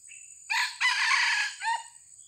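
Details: Young decoy junglefowl in training, recently recovered from illness after a leopard cat attacked it. A short thin note comes first, then a loud, harsh, broken crow, ending in a lower falling tail, over a steady high insect whine.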